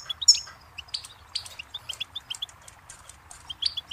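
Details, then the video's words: Softer goldfinch twittering: scattered high chirps and short jingling notes in loose bursts, recorded at some distance over light background noise. "Birdsong Motivation Let Goldfinches Inspire Your Success"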